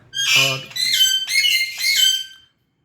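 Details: Pet Alexandrine parakeets indoors at night, calling insistently as if complaining they have not yet been fed tomato; four loud, harsh, grating squawks about half a second apart, the first overlapping a low human voice.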